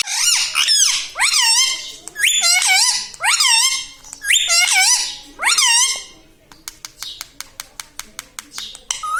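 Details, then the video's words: Talking pet parrot, known to say mummy, papa and mithu. Five loud, harmonic, two-part syllables rise then fall, spaced about a second apart like repeated words. A run of rapid sharp clicks follows, then a final short call. "Parrot talking mithu mithu || mai bolunga || मम्मी पापा बोलता तोता"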